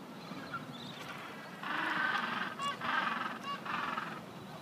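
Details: Gentoo penguins at Cuverville Island, Antarctica: braying, honking calls in loud bursts of about a second, several birds overlapping, with a steady low rumble of wind or surf beneath.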